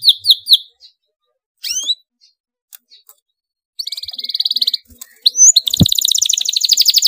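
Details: Canary in excited song: a few quick descending chirps, isolated sharp upswept notes, then rapid buzzy trills at the end, with a single loud click among them.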